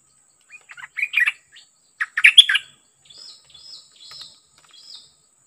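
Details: Decoy bird and a fierce wild-caught bird: scattered soft notes building into two loud bursts of jumbled chirps, followed by a series of quieter, evenly spaced thin whistled notes.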